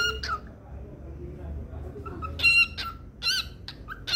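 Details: Pet cockatiel singing happily: scattered sharp chirps and brief whistles separated by quiet gaps, louder bursts toward the end, faint low hum behind.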